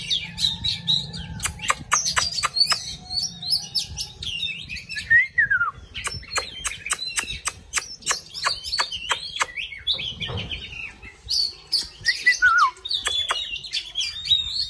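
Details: Singing and dancing oriental magpie-robin; bursts of sharp clicks alternate with whistled phrases, including clear descending slurs, over steady low background noise.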